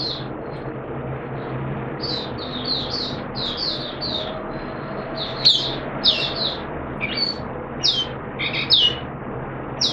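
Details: Caged oriental white-eye, 13 September 2022, during monthly deworming; scattered short, thin high chirps come in loose clusters, growing louder and sharper toward the end over steady low room noise.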